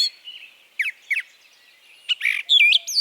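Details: Brown Thrasher in Harvey County, Kansas, singing a long series of varied phrases; scattered sharp chips, then a dense buzzy burst and bright rising-falling whistled notes near the end, faint background hiss throughout.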